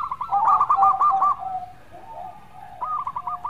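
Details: Local zebra dove in melodious song, opening with a loud rapid rolling coo series, then soft low drawn notes, then a renewed quick stuttering phrase.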